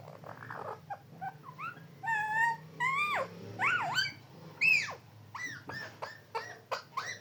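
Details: A parrot talking about Papa: a run of squawky, harmonic voiced sounds with swooping rising and falling pitch, mixed with short clicks and bursts, all over a steady low hum.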